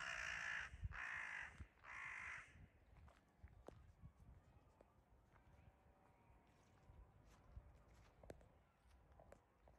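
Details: Crows harassing a wildcat on 9 May 2022 give a rapid run of three loud, raucous caws, about one every half second, before fading into quieter clicks and ambient noise.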